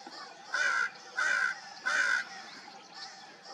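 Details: Three loud, harsh, evenly spaced caws from crows gathered at dawn, each lasting about a third of a second, with quiet background hum between them.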